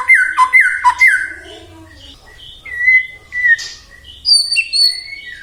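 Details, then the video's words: White-rumped shama song used to provoke other shamas into singing: three quick repeated down-slurred whistles, then scattered clear whistled notes, some high and thin. "murai batu gacor AMPUH buat PANCINGAN murai batu agar bunyi"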